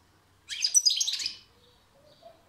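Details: Brief European goldfinch song burst: about a second of bright, jumbled high twittering with liquid tinkles, then silence.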